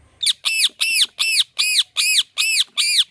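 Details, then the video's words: Parrot repeating "Mithu" as eight loud, evenly spaced, arching harsh calls, about three per second, rich in high overtones, with no other sounds. "Parrot Calling Mithu Mithu"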